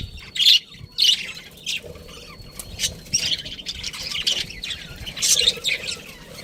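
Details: Pet budgie chirping in short scratchy bursts, loudest near the start and end, with quieter rapid chatter in between and low background hum.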